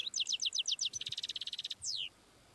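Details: Wild European goldfinch singing a tebnija song phrase: a run of bright, high, evenly spaced chips speeding into a fast tinkling trill, then ending in a falling slurred note, over faint background hiss.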